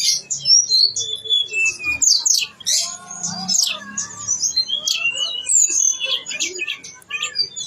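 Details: Blue-winged leafbird (tledekan gunung) in lively full song: a dense medley of high chirps, squeaky slurred whistles and harsh scratchy notes, changing constantly, with faint low hum underneath.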